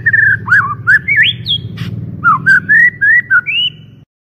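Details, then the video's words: White-rumped shama in a loud, clear lure song: varied whistled phrases, slurred up and down, with a rising whistle and a brief harsh burst midway, then more fluting notes before stopping. "PANCINGAN MURAI BATU PALING GACOR DAN AMPUH SUARA JERNIH VOLUME KENCANG"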